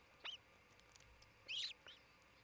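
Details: Osprey pair at a nest camera in Charlo, Montana, late morning of 27 June 2018. Two or three short, sharp, high whistled chirps are heard over a quiet background hiss.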